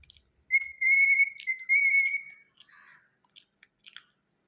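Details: A pet cockatiel whistles a long, steady, clear note, then adds a few soft chirps, singing for banana.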